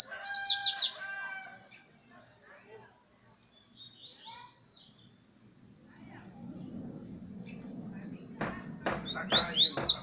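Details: Boca suja coleiro opening with a rapid run of bright, high, sweeping whistles, then quieter scattered notes, ending with another burst of sharp high whistles amid clicks and a low murmur; a faint constant high tone persists.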